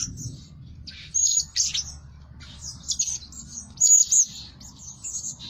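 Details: Scattered piercing, high-pitched tsit notes, some with a clear whistled tone, from a blue-crowned hanging parrot used as a lure bird that calls day and night. Low background rumble.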